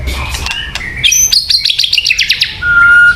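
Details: White-rumped shama song used as a lure: high rapid ticking trill and short whistles, ending in a clear steady whistled note.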